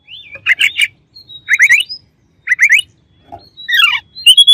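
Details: Oriental magpie-robin song for provoking a rival bird. Clusters of quick bubbling chirps alternate with thin sustained whistles. A soft low note is followed by a descending chattering run and bright high whistles.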